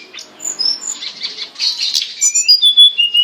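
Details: Short burst of hill blue flycatcher song used to train captive birds: a few high whistles, a blurred noisy chatter, then clear sliding whistled notes at the end.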